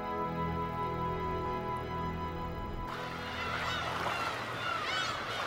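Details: Black-tailed gulls in spring on Gyeokryeolbiyeoldo, a remote island 55 km off Taean in the Yellow Sea, Korea, where many gather to breed: after fading music, a dense colony chorus of overlapping mewing, wailing calls with rising and falling arcs.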